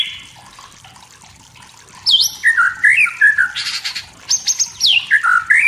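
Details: Wild forest white-rumped shama singing to provoke rivals: after a quiet start, a rich run of loud varied whistles, slurred rising and falling notes and short buzzy bursts, phrases packed closely together.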